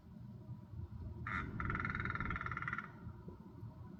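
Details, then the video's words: A Hooded Crow (Corvus cornix) in a Dublin backyard gives one harsh, rattling, nasal call lasting about a second and a half, among unusual vocalizations, over a steady low rumble of background noise. "Hooded Crow Making Strange Sounds | More Than Just a “Caw”"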